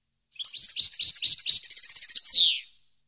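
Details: European goldfinch song for educating captive birds: slurred chirps lead into a rapid trill, then one loud buzzy note drops away at the end.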